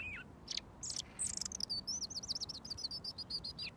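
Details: Robin singing up close before being fed mealworms, as it does daily; a few high notes lead into a long, fast, rippling trill of thin descending notes.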